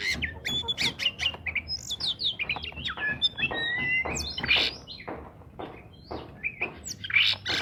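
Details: Oriental magpie-robin in full, lively song, used as a lure to prompt silent magpie-robins to sing: a varied run of clear high whistles, upslurred and downslurred notes, and harsh buzzy bursts and rattles, delivered almost without pause.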